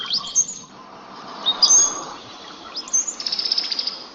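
Brown-headed Cowbird giving thin, very high squeaky whistles with sliding notes, ending in a quick run of bubbly, liquid chips; faint background hiss.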